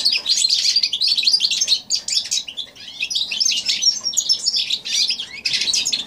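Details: Goldfinch crossed with canary, recorded January 2016, singing bursts of rapid high twitters and buzzy warbles in phrases about a second long, with short quieter gaps between them.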